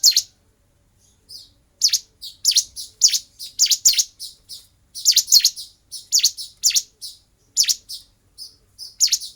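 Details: Bar-winged prinia fighting song from a kept-bird training recording. Steady string of high, sharp, separated chirps, about two per second, with small fainter notes between.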